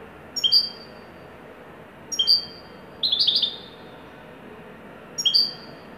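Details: Goldfinch of the Moroccan widani kind, performing happily: repeated two-part notes, a soft chip and then a high clear whistle, with one short buzzy, tinkling trill in the middle, about every two seconds.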